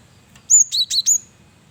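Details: Male cinereous tit singing actively, used as a lure: a bright high whistled note followed by two quick doubled notes, each dropping from high to lower pitch, over faint low background hum.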